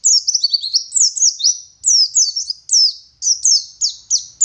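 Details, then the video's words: Oriental white-eye, local West Java dakun type from Garut, singing ngalas-style wit wit phrases: high, thin, falling whistled notes strung into quick groups, some drawn out and slurred. "Burung Pleci Gacor Ngalas Wit Wit Sambung Ngeriwik Full Isian"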